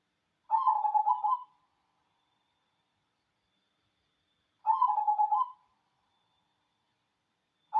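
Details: Zebra dove, a local black cemani type, singing: a rapid bubbling cooed phrase of about a second, repeated roughly every four seconds against a silent background.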